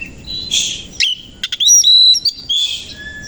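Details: Oriental magpie-robin, kacer koci, singing loudly in the morning with its tail fanned: buzzy harsh bursts alternate with clear, high, ringing whistles and quick clicking notes.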